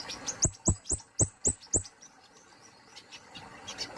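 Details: Indonesian kemade polos songbird delivering a rapid run of six loud, piercing high notes about a quarter second apart, each with a dull thud beneath, then trailing off into softer, irregular high chirps.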